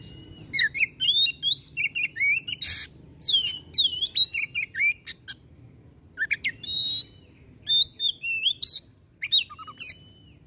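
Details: White-rumped shama pouring out a busy 'tembakan' song: many quick whistled slides, chattering notes and harsh buzzes in near-continuous phrases with brief gaps.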